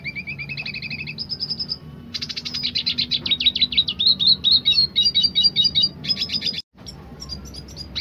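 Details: Dilute red siskin song, roll tembak style: opens with a rapid even twitter, then after a short gap builds into loud buzzy rattling trills and bright whistled phrases, ending with a sudden break and scattered notes.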